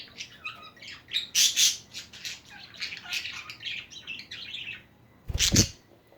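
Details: Budgerigars kept as pets chattering loudly: rapid high warbling and squeaky twittering, followed near the end by one harsh, noisy burst, then the chatter fades.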